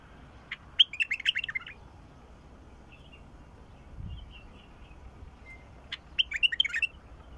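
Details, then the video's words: Song of a 'mukhlif' bulbul used to make a silent bulbul sing: two quick bubbling phrases of six to eight sharp warbled notes, about five seconds apart, with soft faint chirps in between. "تغريد بلبل مخلف يفتح البلبل الساكت"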